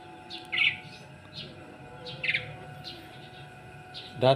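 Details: Asian pied starling in a home yard, said to sing very loudly at dawn and act as a guard, calling when people enter. Harsh chirps come roughly every 0.8 seconds over steady background music tones, ending in a loud burst.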